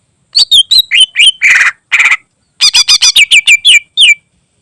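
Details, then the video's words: Greater green leafbird song rich in borrowed phrases, meant as a training recording for other birds: sharp chirps, two harsh buzzy bursts, then a fast run of bright downslurred notes. "Burung Cucak Ijo Isian Istimewa Cocok Buat Masteran"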